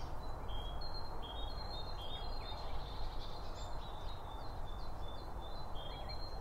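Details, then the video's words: Feeder birds chirping while eating, recorded binaurally close to the feed: an almost continuous chatter of high, short whistled notes and tweets repeating throughout, with low-pitched background noise underneath. "BIRD FEEDING SOUNDS"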